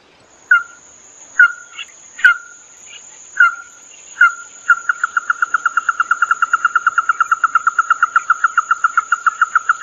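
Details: Red-eyed bird call used for luring birds: a few separate downslurred notes, then a fast, even run of clipped mid-pitched pulses continuing to the end, over a faint steady high electronic whine.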